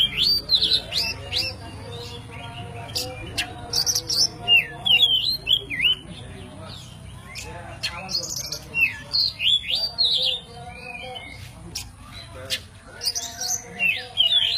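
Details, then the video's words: Master song of a white-breasted oriental magpie-robin (kacer poci) with isian alasan forest fills: lively bursts of high whistles, chips and slurred notes coming roughly three times a second, with pauses between bursts. "BURUNG KACER POCI ISIAN ALASAN"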